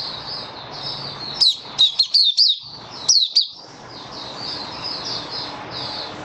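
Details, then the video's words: White-eye kept as a songbird, 23 March 2022, warm humid weather: faint high twittering in the background broken by two loud bursts of sharp, falling chirps, three to four notes each, over steady low noise. "Mata Puteh Kitaro Video 1 buka sing"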